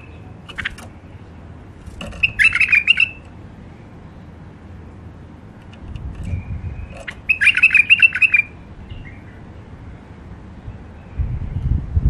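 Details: A wild hybrid finch in its first isolation sings two short bursts of bright, rapid twittering, separated by a few seconds of quiet.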